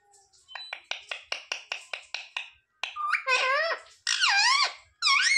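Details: Talking parrot, said to imitate "mummy papa", gives a fast run of about ten sharp dry clicks, then drawn-out squeaky, wavering voice-like syllables in two bursts and a final rising note.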